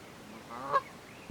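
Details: A single nasal honk from a Canada goose during a territorial dispute in a forest, brief and rising to a loud peak before fading.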